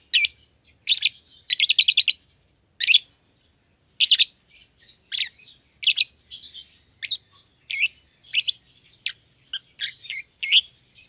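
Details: Caged pair of young lovebirds, one euwing green opaline, one red-eyed albino, never yet bred; busy run of scratchy, high chirps, including a rapid stuttering burst early on, then irregular chattering notes continuing throughout in a quiet room.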